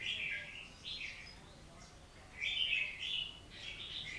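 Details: Oriental magpie-robin song of varied warbled phrases heard through heavy steady hiss, with louder bursts near the start and after the midpoint.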